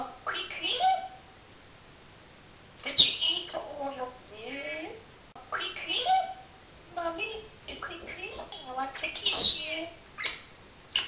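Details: Pet parrot chattering quickly in the early morning, several bursts of speech-like mimicry about a second long separated by short pauses, mixed with shrill whistled squeaks and clicks.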